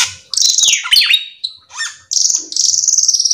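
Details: Cucak keling in lively, full song, used to lure other cucak keling into singing: a sharp falling whistle, a twisting, slurred phrase, then long buzzy high trills that pulse rapidly, with brief pauses between phrases.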